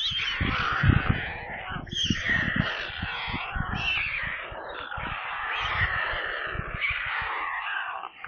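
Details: White stork nestlings near Kaluga in central Russia begging from their nest on a live stream: a rough, churring scream chorus, fairly even in loudness, with many low clunks and bumps.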